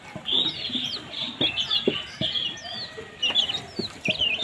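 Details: Several baby chicks chirp while feeding. Their high, short peeps are sometimes slurred upward or downward and come in loose bursts, with soft thumps and taps of activity beneath.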